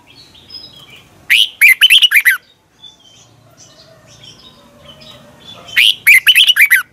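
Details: Red-whiskered bulbul singing in morning practice, a decoy song meant to stir other bulbuls into singing; two bright, quick warbled phrases of about six notes each, several seconds apart, with near silence between.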